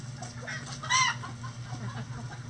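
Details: Backyard chickens doing their daily activities; a single short, harmonic squawk around mid-clip rises and falls quickly over a steady low hum with faint scattered background chatter.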